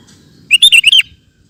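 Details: Lively (gacor) sooty-headed bulbul song, recorded as a master track for cage birds: one quick phrase of four or five bubbly, slurred whistles, the last one dropping in pitch, lasting about half a second.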